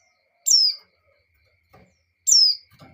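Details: White-eye female in breeding condition calling the male: two sharp high descending whistled notes about two seconds apart, each sliding down quickly, with faint low clicks between in an otherwise quiet setting.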